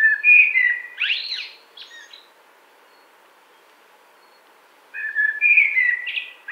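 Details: Blackbird song with a rich fluted opening, a scratchy high flourish, a pause of nearly three seconds, then another warbled phrase begins.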